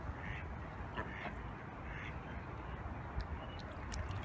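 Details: Goose giving harsh, bark-like honking calls in short bursts, one near the start, a pair around one second and another at two seconds, over a steady low rumbling background with faint scattered clicks.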